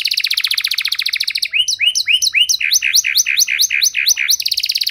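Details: Long-winded canary song with ornate cengkok phrasing, meant to coax a silent canary back into song: a rapid buzzy trill, then a string of repeated swooping chirps about five per second, then the trill returns.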